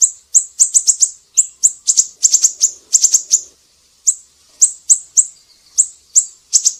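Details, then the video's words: High, sharp, repeated chips from a siri-siri, a tutor recording for songbirds, with dense runs of quick notes early on, a one-second pause, then slower single and paired chips. "Masteran burung siri-siri GACOR"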